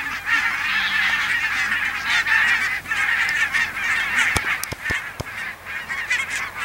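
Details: Pink-footed and Brant geese near the Borreby bogs, on very low land with much water. A dense flock gives continuous overlapping honks and yelping calls, with a few sharp clicks near the end.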